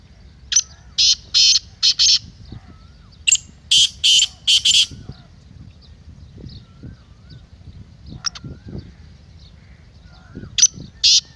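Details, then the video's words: Black francolin (kala teetar) calling: loud harsh buzzy notes in bursts of about five to six, repeated after pauses, with a faint quiet rural background between phrases. "Kala Teetar masti aur chakri k liye behtareen awaz/Black Teetar Voice"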